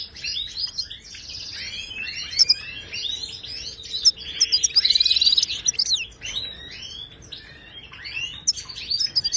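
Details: Moroccan goldfinch singing in the Wedani style, a recording meant to teach silent caged goldfinches to sing: fast, jumbled high twittering with buzzy trilled bursts near the middle over a faint steady low hum.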